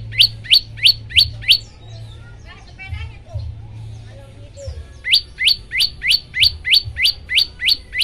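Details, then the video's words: Olive-backed tailorbird song used to get other birds calling: five quick, bright rising notes, then a pause filled with soft twitters and chatter, then a longer even series of the same sharp notes. "masteran prenjak lumut bikin semua burung ikut bunyi"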